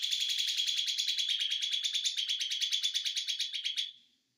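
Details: Ijo mini white-eye in konslet style, delivering one long, rapid, high-pitched rattling trill of steady pulses that fades out after about four seconds.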